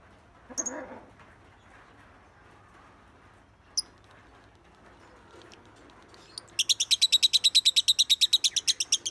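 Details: Lovebird 'masteran' tutor recording of a champion singer: mostly quiet with a couple of isolated squeaks and a click, then a sudden rapid burst of high, evenly spaced chattering notes over the last two and a half seconds.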